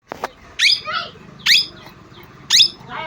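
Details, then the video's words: Parrot, called mitthu or tota, giving three loud harsh downward-sweeping screeches about once a second, each followed by a softer rasping note; faint low hum underneath. "parrot sound l tota sound"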